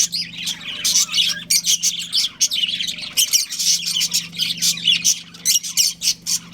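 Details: A pair of breeding budgies chirps in quick pulsing bursts, sharp high notes and scratchy warbles running almost nonstop, with a low mechanical hum in the background.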